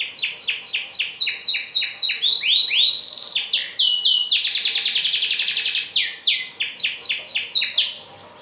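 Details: Canary singing, recorded to train caged canaries to sing well; fast chains of high repeated syllables shift into a dense buzzy rattle, then back to bright rolling down-slurred trills before fading.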